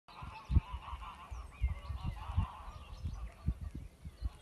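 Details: West of England geese honking at 6am during a farm dawn chorus that also includes cockerels, pheasant, song thrush, goldfinches and turkey: nasal honks in a steady band, with faint higher bird notes and low wind rumbles.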